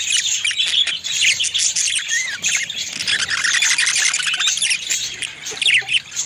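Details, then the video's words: Pet budgies during mate feeding give continuous high, buzzy warbling mixed with quick chirps and a few clear sliding whistle notes. "how budgies feeding their mate"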